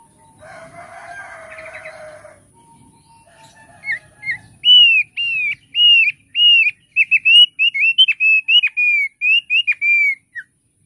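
Thick-billed Heleia singing a fast, uneven string of clear, high, downslurred whistled notes, after an opening burst of harsh, noisy rustling.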